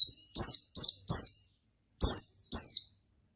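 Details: Piercing, down-slurred chirps from an Oriental white-eye singing ngalas style, four in a quick run, then two more after a short pause.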